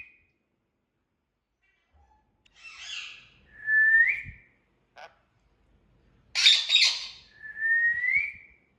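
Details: Indian ringneck parrot alternating buzzy, scratchy bursts with clear whistled notes that sweep upward, with brief gaps of silence between the sounds.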